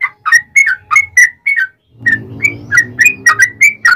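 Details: Yellow-vented bulbul, called trucukan, singing a fighting song as a lure for other bulbuls: bright slurred whistled notes in a quick series, a brief pause, then more notes over a rising low engine-like rumble.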